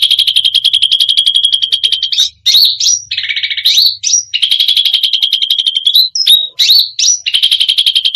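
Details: Cucak rante pouring out a full, varied song that provokes other birds: long rapid buzzy trills broken by sudden rising whistles and a lower rattling phrase, repeated in quick succession.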